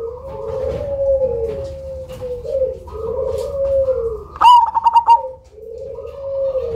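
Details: Loud Cemani zebra dove, a lure bird with a distinctive rhythm, gives one phrase: a sharp onset and then a quick string of rolling pulses. Long, lower, drawn-out coos from other doves continue before and after it.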